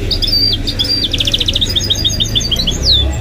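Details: A pet goldfinch × canary hybrid (mule) sings: high, rapid trills of clipped notes with sweeping whistled slurs, ending on a bright downward-swooping note, over a low steady rumble.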